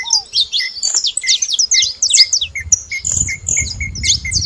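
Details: Saffron finches (canário-da-terra) noisy at a feeding spot: a busy stream of sharp high chirps and twittering notes, a repeated short mid-pitched chip, one low downslurred whistle at the start, and rumbling low background noise later.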